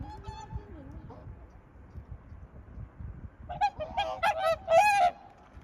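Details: Swan calling: a faint nasal note at the start, then after a pause a burst of loud, harsh, trumpeting honks overlapping one another, with low background rumble.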